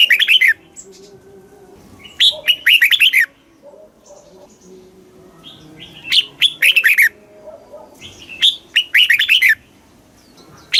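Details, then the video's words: Caged red-whiskered bulbul song in the Thai southern master style, for stimulating birds and teaching young: repeated bursts of rapid whistled, slurred notes every two to three seconds, with softer chirps and faint background noise between phrases. "เสียงนกกรงหัวจุก สำหรับต่อ หรือ เปิดให้นกคึก เสียงเพราะๆ"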